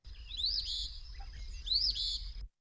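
Eastern Phoebe giving two raspy, high 'fee-bee' phrases about a second apart, over a steady high hiss and low rumble.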